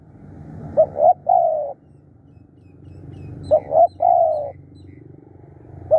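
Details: Spotted dove serving as a decoy, described as aggressive and calling eagerly: two full cooing phrases, each of two short notes and a long, slowly falling coo, with a third starting at the end.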